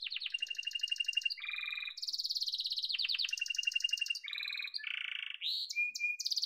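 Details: Yellow domestic canary song built from changing tours: steady rapid rolls, lower buzzy trills, a bright high chattering passage, and short slurred notes, all delivered continuously at moderate volume.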